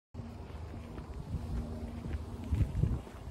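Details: Low rumbling wind buffeting the microphone, with faint murmurs and no animal calls.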